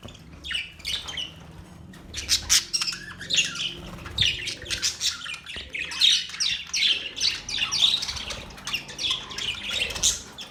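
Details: Budgies squawk and chatter continuously, harsh rasping calls mixed with quick chirps in a lively, irregular stream over a low background hum.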